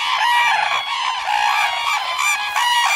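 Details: Red-crowned cranes in Hokkaido's Kushiro wetland area give loud, trumpeting, rattling calls that overlap almost without pause, harsh and rich in overtones.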